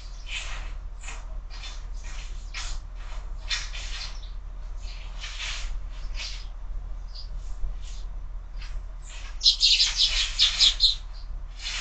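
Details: Sparrows at a window-mounted feeder in the morning, fed year-round: a dense stream of short, sharp chirps, about two or three a second, with a louder, busier flurry near the end over a low steady hum.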